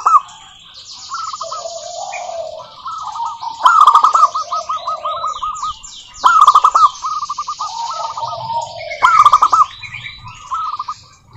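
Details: Local wild-type zebra dove singing to provoke other doves to sing: repeated stuttering coo phrases every few seconds, each opening with a loud accented burst, then a fast rattling trill, while another lower voice overlaps.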